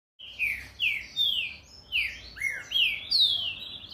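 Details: Green-winged saltator delivering a fast song of loud, clear downslurred whistles, about seven notes in under four seconds, each sliding sharply downward.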